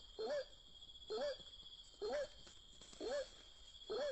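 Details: Lured to a trap, a white-breasted waterhen gives five brief, nasal calls with a wobbling tone, spaced under a second apart, against a constant shrill background hum.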